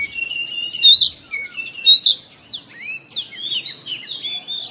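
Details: Oriental magpie-robin in the morning, singing a lively string of whistles: two loud, ringing notes stand out, followed by fast downslurred chirps and a warbling trill.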